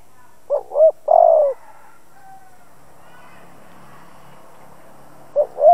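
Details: Decoy spotted dove calling to stir other doves: two quick hollow notes and a longer throaty coo, a pause of almost four seconds, then the paired opening notes again. The background is quiet.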